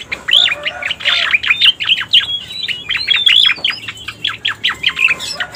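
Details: Striated grassbird (cica koreng) call used as a lure to attract wild birds: rapid, dense series of sharp chirps and rising-falling notes, several per second, with short whistled slurs mixed in.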